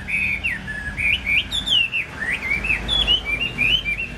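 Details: A male Chinese hwamei, a 2019 flag winner (top 10 Thanh Trì) just back from moult, sings a rich, continuous run of loud, varied whistled phrases that slur up and down, with faint background hum.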